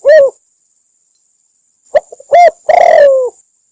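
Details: Spotted dove in Cambodia, used as a trapping lure call, coos: a single soft coo, a pause, then a short note, another coo and a longer, burry, falling coo, all low and mellow.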